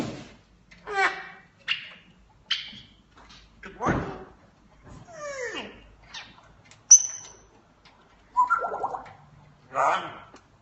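A grey parrot runs through a varied string of mimicked sounds: harmonic speech-like phrases, sharp whistles, a sweeping downward squeal and buzzy gargles, roughly every second.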